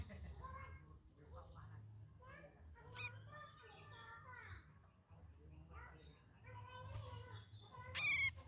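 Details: A young sooty-headed bulbul learning to sing rambles through varied chirps, slurred whistles and short warbled phrases in an unsteady stream, over a low steady hum.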